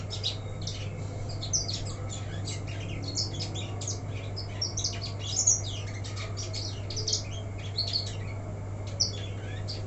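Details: Young untrained black-throated canary in a cage, uncovered, singing a continuous rambling warble of rapid high twitters, sharp chirps and slurred whistles, with louder accents every second or two, above a constant low hum.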